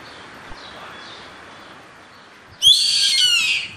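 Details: Yellow-headed caracara, known locally as gavião carrapateiro, calling: after quiet background, one loud hoarse, screechy scream with rich harmonics lasting about a second, sliding slightly downward at the end.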